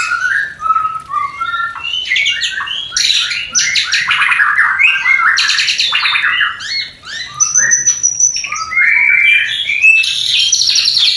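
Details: White-rumped shama (murai batu) mating song, played to stimulate breeding desire in a new pair not yet producing: a dense, varied run of loud whistles, slurred rising notes and rapid buzzy rattles, with a high sustained whistle near the end.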